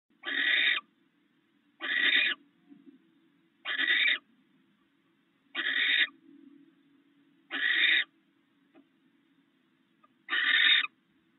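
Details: Barn owl pair at their nest in the early morning, the male having brought rats and the two sharing a meal; harsh, breathy hissing screeches about half a second long, repeated roughly every two seconds, six in all, with a faint low hum beneath.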